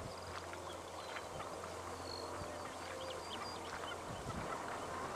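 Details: Banded stilts recorded in Victoria, Australia, in September 2011: many short, high chirping and yelping calls overlap as if from a flock, with a steady low hum and faint background noise.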